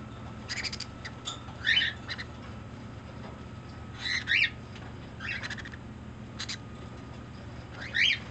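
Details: Pet green-cheeked conure, affectionate while making various demands, giving short harsh squawks in irregular bursts, about five calls over eight seconds, with steady low indoor hum behind.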